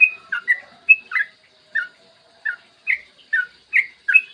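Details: Yellow-vented bulbul in lively long 'ropel' song recorded in the morning, used as a tutor lure to prompt other bulbuls to sing: short bubbly chirped notes, rising and falling, spaced irregularly about once a second with brief gaps.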